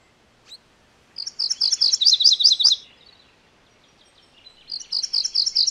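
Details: MacGillivray's warbler singing two bright, buzzy phrases of rapidly repeated high chirping notes. Each phrase runs about one and a half seconds, separated by a short pause, with a single faint note before the first phrase.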